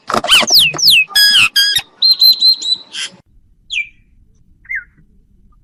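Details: An old myna gives a varied burst of loud, squeaky, slurred whistles and harsh rattling notes, then a quick twittering phrase, followed by a few isolated short whistles after a pause.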